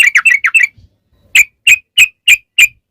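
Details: Yellow-vented bulbul song, used as a lure to set bulbuls singing. A quick cluster of slurred chirps, a pause, then six single sharp notes about every third of a second.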